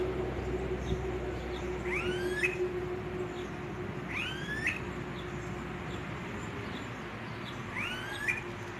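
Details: A Smooth-billed ani (Crotophaga ani) gives three whining, upslurred whistles, each rising sharply and spaced a few seconds apart, over a steady low rumble of distant traffic.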